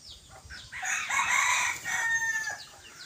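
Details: Young male decoy junglefowl recorded on 21 May 2023 gives a loud, harsh crow about a second long, with strong banded harmonics. Before and after it, other birds chirp faintly against soft background noise.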